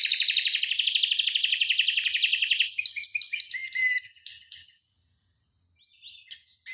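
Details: Canary tutor song, dense fast rolling trill lasting nearly three seconds, then clear whistled notes and sharp chips, a pause, and faint high chirps near the end.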